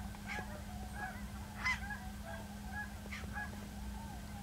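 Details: Cackling goose filmed 10 December 2012 at Ridgefield, Washington, appearing ill; faint high yelping honks from a flock recur every second or so, one louder note midway, against constant low droning noise.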